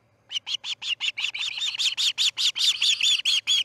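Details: Osprey at the Charlo nest during a chick's fledging, 6:03am on August 10, 2018: a quickening, intensifying series of harsh piping chirps that grows louder and denser toward the end.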